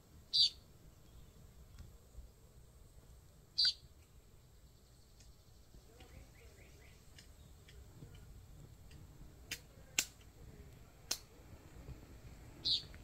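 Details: Puerto Rican tody in the dry forest at Guánica, Puerto Rico, on 26 February 2023, gives three short, high, buzzy notes spaced several seconds apart, with a few sharp clicks and faint chirps from other birds between them.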